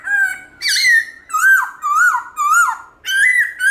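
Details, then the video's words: Morning forest-style song of a black-throated laughingthrush, switching voices: loud, rich whistled phrases, each dipping and rising in pitch, about five phrases with short gaps between. "Khướu Bạc Má Hót Giọng Rừng ĐẢO GIỌNG Buổi Sáng"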